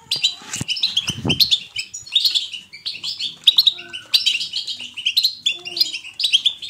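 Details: Energetic European goldfinch song, offered to stimulate other goldfinches to sing. Dense, bright twittering with tinkling notes and short buzzy trills, delivered in rapid bursts. A low rustling noise is heard near the start.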